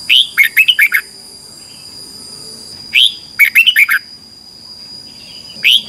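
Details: Red-whiskered bulbul singing competitively in the morning, recorded as a lure for training: short bursts of four or five bright, falling whistled notes, repeated about every three seconds, with a constant high whine.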